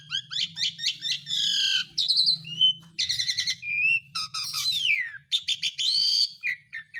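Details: Asian pied starling song meant to call lazy birds back into singing: a series of short repeated chirps, then raspy buzzes, bright whistles and descending slurs, with a soft low hum underneath.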